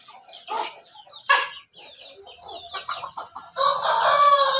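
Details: A Pelung × Bangkok crossbred rooster sunbathing in the morning gives a few short clucks, then starts a loud, sustained crow.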